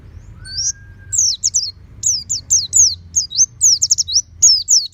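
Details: Caged oriental white-eye in a home setting, urged toward 'ngeplong' full-beak song: a short steady tone, then a rapid string of piercing, downward-slurred chirps, roughly three or four per second, over a soft low hum.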